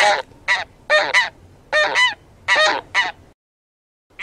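Taiga bean goose giving loud, nasal honks, single and in doubled bursts, about one every second, with a faint background hum.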